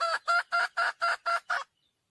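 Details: Seven loud, ringing, nasal notes from a wild red junglefowl hen calling for a mate, delivered in an even rapid series about four a second, then silence.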